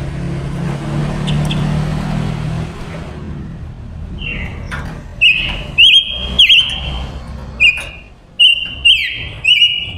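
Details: Caged female silver-eared mesia decoy singing to lure wild males: after four seconds of low background rumble, a run of clear whistled notes, several with downward slurs, repeated roughly every second.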